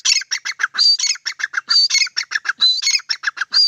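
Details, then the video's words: Grey francolin (teetar) calling: loud, shrill, rapidly repeated notes with harsh rising phrases, a fast ringing series of about four to five notes per second. "Gray francolin teetar ki awaaz"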